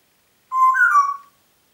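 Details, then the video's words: Pet Congo grey parrot in Diebach near Hammelburg, April 2012, producing one warbling whistle of under a second that climbs slightly then wavers back down, richly tonal against silence. "Kongo-Graupapagei pfeift pfeifen"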